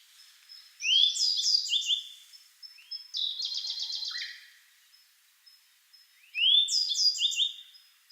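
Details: Sub-adult grey bunting singing at Kagami Pond in Togakushi, its upswept whistle and chattering notes followed by a Siberian blue robin's rapid metallic trill, then the bunting again.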